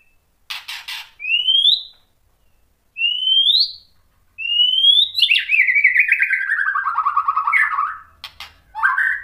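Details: Lure song of a white-rumped shama meant to stir other shamas: sharp chips, then three separate rising whistles, followed by a long descending warbled trill and a final short phrase, with silent gaps between.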